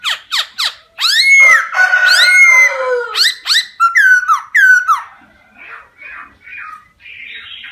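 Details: Forest laughingthrush, a caged songbird, singing: sharp downward-sweeping whistles, long level tones and slurred phrases, followed by softer short repeated notes fading toward the end.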